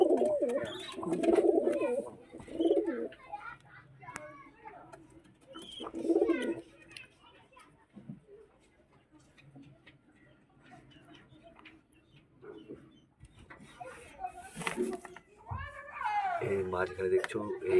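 Pigeons give low, throaty coos in bursts, with quiet pauses between the calls.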